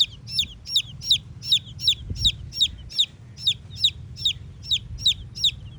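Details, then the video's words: A red chicken chick peeps insistently: clear, high notes that drop in pitch, repeated about every third of a second in an even rhythm over a low hum. "Red Chicken Chicks Chirping Sounds"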